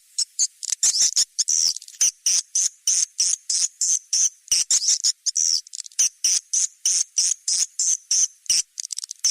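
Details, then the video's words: Nest-house lure sound of swiftlets in 'seruling sakti' style: very high, thin chirps given in quick, fairly regular pulses of about three per second, each a short rasping twitter. "Suara panggil sp walet seruling sakti"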